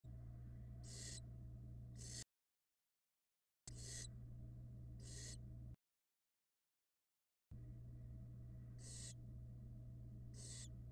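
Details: Barn owl nestlings at a nest box camera in Florida, from a clutch laid in January 2022. Broad, hissing bursts repeat in short pairs, broken by stretches of dead silence, over a steady low hum.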